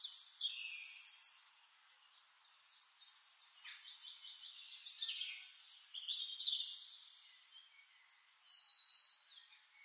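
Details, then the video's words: White-faced whistling ducks calling: overlapping clear whistled notes in short rapid multi-note bursts, several birds chattering at once, rising and falling in loudness, heard fairly faintly. "White Faced whistling duck"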